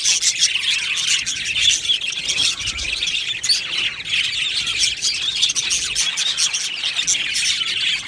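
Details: Budgerigar colony in an aviary, steady overlapping chatter of chirps, warbles and scratchy squawks from many birds, softer in places but continuous.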